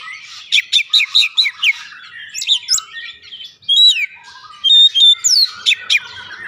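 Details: Lure song of an Oriental magpie-robin: a quick rhythmic volley of chirps, then mixed whistles and downslurred notes, a pause, and a final burst of bright whistled phrases and chips.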